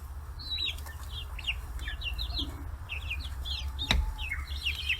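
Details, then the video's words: Forty-day-old free-range chicks flocking to fish heads at a Kitahiroshima farm in Hiroshima Prefecture, Japan; a dense chorus of rapid, shrill, slurred peeps with hardly a gap, over a constant low droning hum and one brief thump. "chicks chirping sounds"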